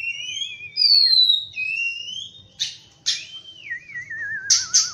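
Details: Clear whistled song of an Oriental magpie-robin in the morning: sliding, wavering whistles and a descending quavering note, broken by a few sharp chirps.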